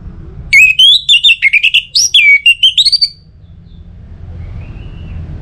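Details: Song of an Orange-headed thrush, meant to lure other birds into singing. About two and a half seconds of fast, varied whistles rising and falling with quick twittering notes, followed by a near-quiet stretch.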